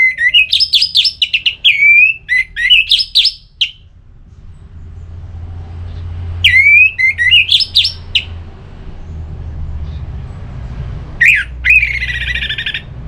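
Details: Singing orange-headed thrush in ngeplong style, intended to trigger song in another bird: three rapid, chattering phrases of high whistles and crisp notes, separated by pauses of a few seconds, the last ending in a buzzy trill.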